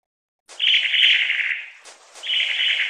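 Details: Long-tailed tit (Aegithalos caudatus) giving two drawn-out, harsh trilled churrs, the first over a second long and fading, the second following after a brief gap; no other sounds apart from slight clicks.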